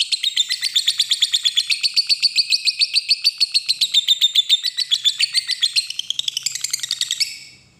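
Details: Lovebird long ngekek trill used as a lure for a rival: rapid, shrill, rattling notes repeated several times a second for about seven seconds, climbing higher and fading out at the end.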